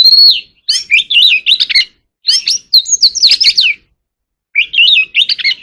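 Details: Oriental magpie-robin singing hard in contest style: rapid bursts of varied, warbling whistles and chattering notes in phrases of about a second. Short silent gaps separate the phrases.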